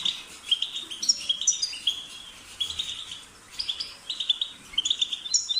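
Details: Twittering European goldfinch song in quick bursts of bright chirps and short trills, separated by brief gaps.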